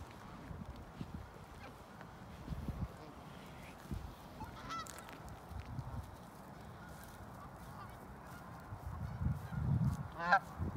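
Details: Canada geese lounging on a snowy field in Ontario, filmed December 8, 2018 with an iPhone 8; a short honk mid-way and a sharper, louder honk near the end, with low thumping and rumbling noise throughout.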